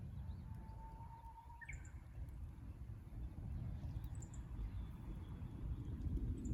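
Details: Japanese bush warbler at the Kusu tank road in Japan, fixed camera, 24 April 2025: one long level whistle swelling then breaking into a quick two-part flourish, with faint high chirps and a continuous low rumble behind.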